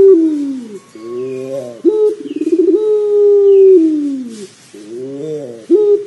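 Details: Puter pelung dove used to prompt calling: deep coos with a quick pulsing roll leading into a long held note that sinks in pitch, then softer wavering notes and a fresh coo starting.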